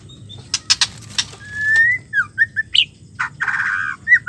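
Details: White-rumped shama female, whose call is meant to get silent males singing: sharp clicks, a long rising whistle, short slurred notes and a harsh buzzy burst near the end.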